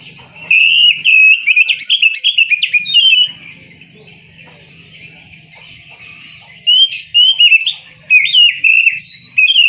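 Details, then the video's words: Oriental magpie-robin delivering long bursts of lively whistling, chirping and trilled notes, with a quiet stretch of several seconds between the two outpourings. "KICAU BURUNG KACER"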